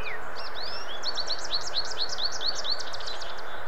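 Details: An American goldfinch in southern Ontario sings a clear, rapid series of bright, arched twittering notes, about ten in quick succession, after a short slurred lead-in, with steady hiss behind.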